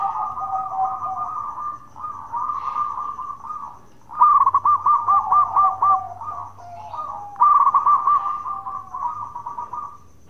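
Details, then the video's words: Bekur song of a local zebra dove, meant to provoke other doves into answering. Three long phrases of fast, bubbling, stuttered coos come back to back over ten seconds, each slightly wavering and level in pitch. "Perkutut Lokal Gacor Suara bekur super Ampuh bikin Nyaut bunyi"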